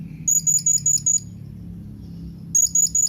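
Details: Rapid chattering runs of short, very high, sharp tinkling notes from a blue-crowned hanging parrot calling its companions, about six notes in the first run and four in the second after a brief pause.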